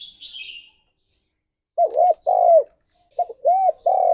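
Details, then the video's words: Spotted dove morning song to prompt mating: after a brief high chirp, a run of deep, curved coos, alternating short double notes and longer held ones. "Tekukur Gacor Suara - Pancingan Pagi Paling Ampuh Naik Birahi"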